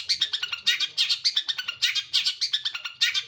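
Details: Long-tailed shrike singing steadily from one perch: busy, scratchy twittering phrases in quick bursts, each cluster of rapid notes separated by short gaps, repeated through the clip.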